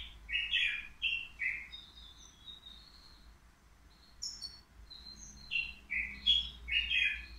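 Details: European goldfinch, three years old, kept caged at the Qriaa bird market and said to sing faultlessly; clusters of sweet liquid twitters alternate with thin high notes and a sharp upper chirp, with quiet gaps and steady background hum.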